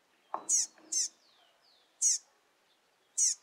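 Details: Rusty-collared seedeater fledgling just out of the nest, with its father, calling persistently: sharp very high descending chip notes, spaced irregularly about a second apart, plus one soft lower note near the start.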